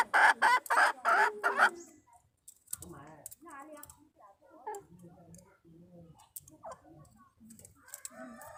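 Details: Wild red junglefowl hen luring a male, March 2020: a few loud harsh cackles at the start, then a long stretch of soft, low, scattered clucks and murmurs.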